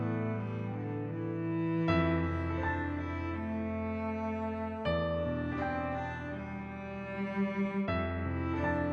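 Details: Slow, sad bowed-string music plays, cello-like, with long sustained chords shifting every few seconds and no bird call.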